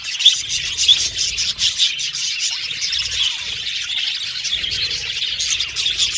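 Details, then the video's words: Many budgerigars chattering together: a dense, continuous wash of high, scratchy chirps and warbles with short squeaky notes, rising and falling in loudness throughout, with no pauses and no other clear sounds. "Beautiful Budgies Chirping Sound"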